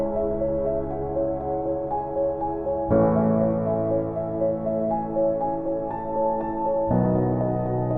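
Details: Soft ambient keyboard music with sustained piano-like chords and gentle melody, changing chords around the third and seventh seconds; no bird is heard.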